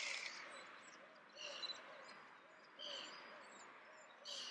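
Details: Icelandic Redwing (Turdus iliacus coburni), an adult singing softly in Leiden, the Netherlands, on 15 December 2015; faint, high twittering phrases come in short bursts with quiet gaps, over a low steady hum.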